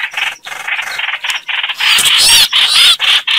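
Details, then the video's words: Chao chảo bird call played as a lure for trapping birds; rapid harsh chatter of raspy notes, growing denser and louder midway with squeaky wavering peaks before short gaps. "Tiếng Chim chao chảo"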